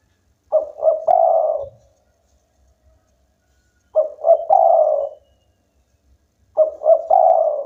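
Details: Local spotted dove singing vigorously, said to make rivals join in; three identical phrases of two short coos and a long falling coo, spaced about three seconds apart, nothing else audible.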